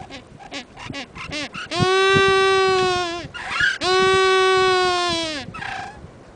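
A Galapagos penguin gives a few quick, wheezy notes, then two long, loud, harsh braying calls, each lasting well over a second.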